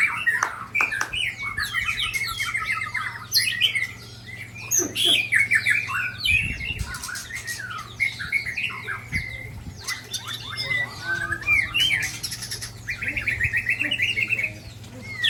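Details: Aceh white-rumped shamas in a clash, a Balak Sabang bird attacked by Ujong Pancu and Tangse birds; dense rich song of fast whistles, chattering bursts and harsh squawks, with callers overlapping almost continuously.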